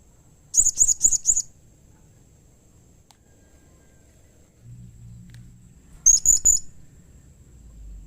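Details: A blue-crowned hanging parrot gives a quick run of four piercing high chirps, pauses for several seconds, then gives three more. The calls are meant to prompt other hanging parrots to answer, and a faint low rumble sits underneath.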